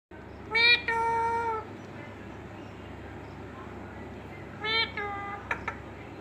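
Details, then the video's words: Indian ringneck parakeet talking: two drawn-out nasal, harmonic-rich utterances, one near the start and one later followed by sharp clicks, over a steady background hum. "Talking Parrot | Mithu Voice"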